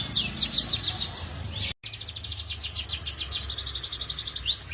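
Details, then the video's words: Young canaries singing in a training recording: repeated falling high notes in a quick series, a short gap, then a long run of rapid descending notes ending in a rising whistle, with steady low background noise. "KUMPULAN SUARA BURUNG KENARI GACOR (MASTERAN KENARI ANAKAN)"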